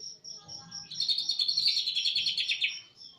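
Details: Greater green leafbird from East Java with cililin-style phrasing, a nearly two-second burst of fast, dense, shrill chattering notes rising out of a train of high, evenly spaced pips.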